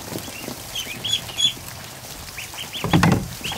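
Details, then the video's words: Over a hundred newly hatched ducklings in a kiddie pool in a barn; clusters of arched, high peeps from many chicks, a burst of splashing near the end, water movement throughout. "An Afternoon With 100+ Ducklings In A Kiddie Pool"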